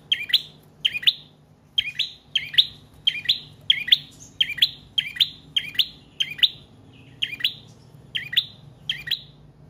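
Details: Continuous song of a bar-winged prinia meant to lure and train caged birds: high, sharp double chirps repeated at a brisk, fairly even rhythm over about ten seconds.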